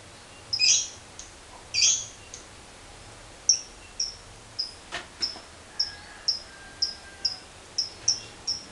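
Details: Lovebird giving two harsh high squawks, then a string of short, sharp high chips, loosely spaced at roughly half-second intervals, with no trill developing.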